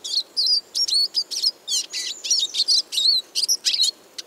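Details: A Eurasian siskin sings a lively, continuous twitter of high chirps, slurred whistles and buzzy notes delivered in quick succession without pause.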